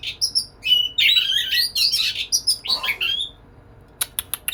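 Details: Lively white-rumped shama courting a female with a dense warbling flow of whistles and rough chatter, high and tumbling, then a pause before a few sharp clicking notes.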